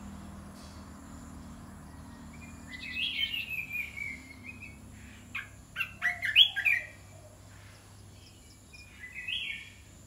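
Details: Red-whiskered bulbul kept in a cage, song blending dok taeng and ta daeng styles; quiet start, then a sliding whistled phrase, a cluster of loud sharp notes midway, and one last short warble against steady low hum.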